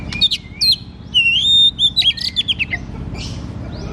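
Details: White-rumped shama in full loud song, used to coax a reluctant, rarely singing shama: clear whistled phrases around 3–4k, a long level whistle, then rapid varied chips and downslurred notes, with steady low hum beneath.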